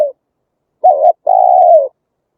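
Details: Spotted dove played through a loudspeaker as a lure for trapping wild birds in Vietnam: a clipped coo, then a short wavering note and a long, steady, mellow coo that sags slightly at its end. The background is clean and silent.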